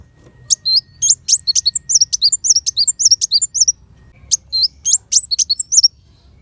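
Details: Sunbird song used as tutor material for training white-rumped shama, in the sharp 'tembakan besetan' bursting style: rapid, very high twittering notes in a fast run, a short pause, then another burst of thin chirps.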